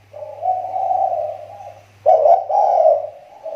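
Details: Spotted dove kept for luring wild doves in Riau Islands, Indonesia, gives a long wavering low coo followed by a sudden louder burst of throaty coos, with a steady hum underneath.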